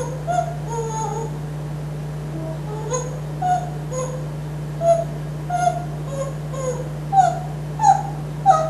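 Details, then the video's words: Pet African grey parrot indoors in Texas softly whistles his own invented tune, perched on a kitchen napkin holder: short clear notes rising and falling in a loose rhythm, some louder toward the end, with a constant low hum behind. "Original Song by Einstein the Talking Texas Parrot"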